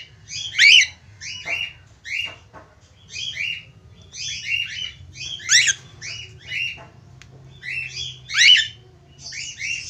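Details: A budgerigar, in a recording described as a male calling a female, chatters in quick clusters of high, scratchy chirps and squeaks, a burst roughly every second, over a faint low hum.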